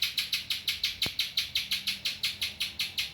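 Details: A spiderhunter delivering song with ciblek phrases: quick, shrill chip notes in a regular rapid series, about five per second, with a single sharp click partway through.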